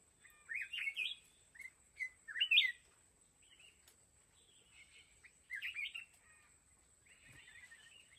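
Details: Mountain red-whiskered bulbul at a fighting trap, giving lively warbled phrases in quick bursts, a pause, then another rolling phrase and softer chattering notes, over a constant thin high tone.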